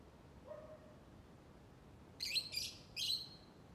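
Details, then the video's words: Lovebird chattering: three short, harsh, buzzy chirps in quick succession near the end, preceded by a faint low tone, over a quiet steady hiss. "Burung Labet LoveBird Berkicau Ngoceh"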